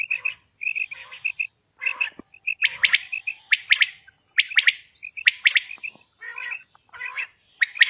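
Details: Calls of a female common quail: crisp triplet notes, bright and sharp, recurring at roughly one-second intervals, mixed with softer short piping notes in a quiet setting.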